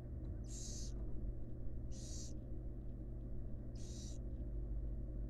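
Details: Female barn owl feeding fledglings in a wild nest box; three rough, airy hiss bursts about one and a half to two seconds apart ride over a persistent low-pitched hum.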